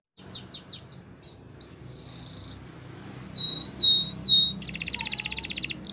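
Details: Spanish Timbrado canary song: a few descending chirps, a thin sustained trill, separate clear whistles, then a loud rapid metallic roll near the end over a low hum.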